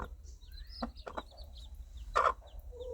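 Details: Mother hen in the countryside calling her baby chicks with gentle clucking that guides them toward warmth, food and safety; several short low clucks, a louder burst near the end, with thin high downward peeping of chicks throughout.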